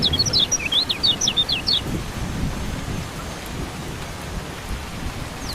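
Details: Brief high twittering from a lemon-bellied white-eye, a quick two-second cluster of sharp chips and slurs, then steady rain and rumbling thunder alone; used as rain therapy for birds that have gone quiet.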